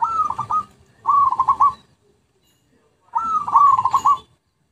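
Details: Zebra dove, lure song: three clear phrases, each opening with a rising coo and running into a rapid stuttering string of pulses, with a silent gap before the final one.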